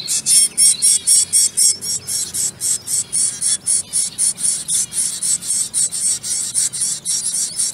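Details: Zebra finch babies being hand fed, giving harsh, raspy, high-pitched begging calls in a steady, rapid series of about two bursts per second, each call strong and buzzy, continuing without a break.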